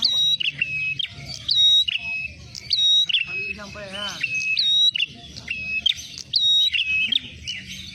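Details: Ashy tailorbird lure for trapping, a dense run of bright high whistles and sliding chirps repeated every second or so, with a brief human voice partway through.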